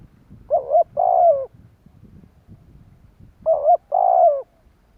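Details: Spotted dove used to call wild doves: two phrases nearly three seconds apart, each a double coo followed by a long wavering throaty coo, with low rumbling background noise.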